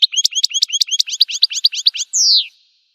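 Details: American goldfinch, wild, delivering a rapid string of paired high twitters, about six per second, finished by a drawn-out descending buzzy slur, then silence.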